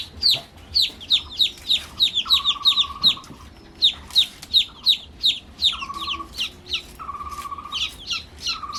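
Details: Freshly hatched chicks chirping: high falling peeps repeated rapidly, mixed with a steady lower whistled tone in several short bursts and occasional clicks.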